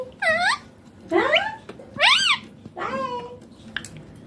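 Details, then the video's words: Green ringneck parrot producing four nasal, speech-like utterances roughly one second apart, with sweeping upward and downward inflections, inside a quiet room. "Ringneck Green Parrot talking"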